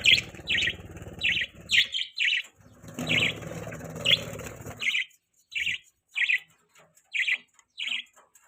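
Budgerigar giving short, bright chirps about twice a second, high and slightly buzzy, over a low murmur of background noise in the first five seconds.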